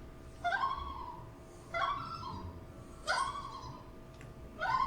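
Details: Common loon (Gavia immer) wintering on Lake Jocassee, South Carolina, gives the tremolo, a call of excitement or agitation also used in flight: four short, quavering, laughing bursts about every 1.4 seconds over a faint steady hum.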